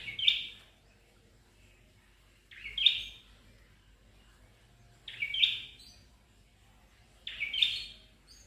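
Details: Red-headed tailorbird (prenjak kepala merah), an Indonesian bird, repeating a short, sharp, high chirped phrase roughly every two and a half seconds. Each phrase is an abrupt bright burst that fades quickly, with quiet between phrases.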